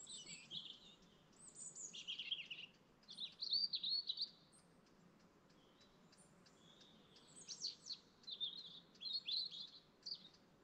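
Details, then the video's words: At dawn by a lake in the Lake District National Park, several birds sing overlapping high, jumbled warbling phrases in bursts of one to two seconds, separated by brief quieter gaps. "1 hour morning chorus bird sound at dawn in the lake district national park lake view"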